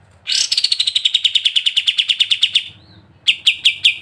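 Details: Ngebren rattle from a sooty-headed bulbul: a rapid series of sharp buzzy notes that gradually slows, a brief gap, then a few more spaced notes.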